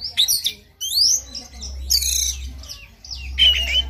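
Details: Morning song of an oriental magpie-robin, played to stir a bird into singing. Sweeping rising whistles, squawky buzzy notes and bright chirps follow one another, with a steady low background hum.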